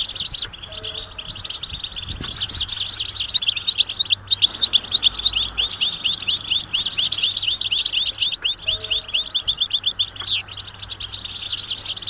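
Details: European goldfinch chatter, the bird's mating and readiness calls, played to stir silent males into song: dense, rapid high twittering of sharp metallic notes about three per second, rising and falling, with a faint low hum underneath.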